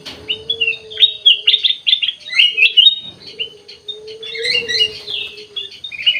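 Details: Kutilang emas (ruby-throated bulbul) chattering in a busy song of rapid high chirps and bent whistles, over a steady low hum that fades in and out.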